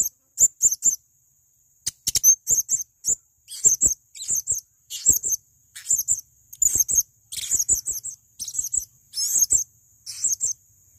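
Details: Male blue-crowned hanging parrot recorded as a training master, giving very high, thin squeaky chirps in short bursts of two or three notes, repeated about every second with brief silent gaps and faint clicks.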